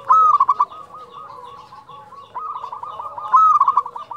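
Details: Fluting 'nyuling' song of a local zebra dove. A loud whistle-led phrase of rapid coos opens and another closes the stretch. In between, a quieter dove repeats long trains of soft coos.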